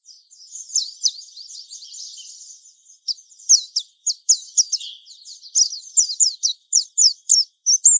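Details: High, buzzy warbling from a mountain white-eye, a lure song for training young birds, turning halfway into strong evenly spaced downslurred chirps and ending on a short rising whistle.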